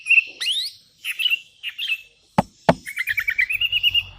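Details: Sooty-headed bulbul calling rivals, with wild bulbuls answering: short whistled and chattering notes, two sharp clicks, then a quick run of about a dozen repeated bubbly notes.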